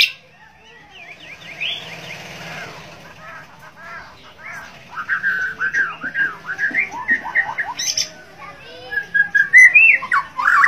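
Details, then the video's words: White-rumped shama from Borneo singing in gacor style: soft notes at first, building into clearer whistled and chirping phrases that grow louder and more varied near the end, over a faint hum. "murai borneo gacor dor White-rumped Shama 白腰鹊鸲 Kucica Hutan"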